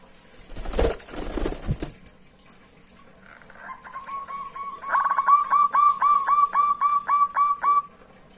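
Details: Local zebra dove singing to lure rivals. The clip opens with loud rustling noise, then a quiet pause. A steady series of crisp, clear cooing notes builds in volume and repeats about four times a second until near the end.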